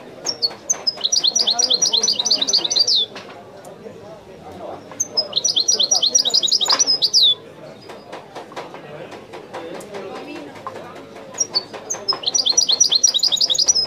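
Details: European goldfinch singing in the authentic Widani song style: three bursts of rapid, buzzy, metallic trilled notes, each about two seconds long, separated by pauses, with a murmur of voices in the background.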